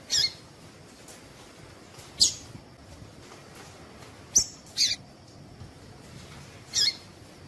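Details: Female Double-collared seedeater calls, used to stimulate males to sing: short high sharp chips, single or paired, spaced roughly two seconds apart over a faint hissy background.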